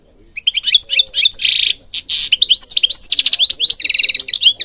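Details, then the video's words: European goldfinch singing, recorded for training birds: fast tinkling twitters, rising and falling chirps, harsh buzzy bursts mixed in, then a long run of rapid, clipped notes, all high and bright with a clean background. "Singing Goldfinch King goldfinch singing"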